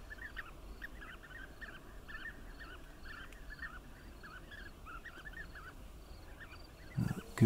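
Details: A steady stream of soft, rolling bee-eater calls from several birds, short arched notes overlapping almost continuously, with a faint low rumble and a loud knock at the end.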